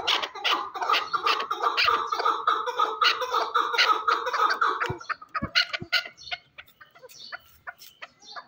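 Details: Calling chukar partridge from Shurobod: a fast run of hoarse chuck notes for about five seconds, fading into scattered sharper clucks with a few low knocks.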